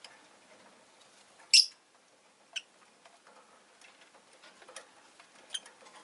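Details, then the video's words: Pet rosy-faced lovebird giving one loud, sharp, high-pitched chirp, then fainter short chirps a second and four seconds later, over faint ticking and rustling indoor sounds. "Lovebird Chirping Sounds"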